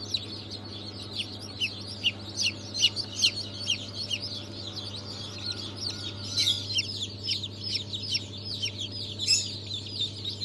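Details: Newly hatched chicks of Brahma, Fizan, Australorp and Legbar breeds, hatched 3 March 2023, giving a dense chorus of high, shrill peeps, each a quick falling chirp, overlapping continuously above a steady low hum.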